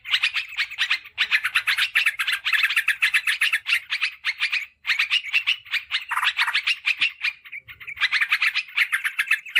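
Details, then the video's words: Lure call of yellow-vented bulbul for attracting wild birds and tutoring caged ones: long runs of rapid, busy chattering, briefly broken around five seconds, then resuming. "Suara PIKAT Trucukan PALING AMPUH !! Respon Cepat Terbukti Jitu"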